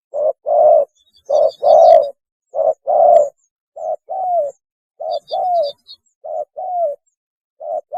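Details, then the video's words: Spotted dove giving its mating call: mid-pitched hoarse coos in pairs, a short note then a longer one, repeated steadily about once a second; later pairs end in a slurred falling note. No other sounds. "PANGGILAN KAWIN...!!! SUARA BURUNG TEKUKUR TERBAIK"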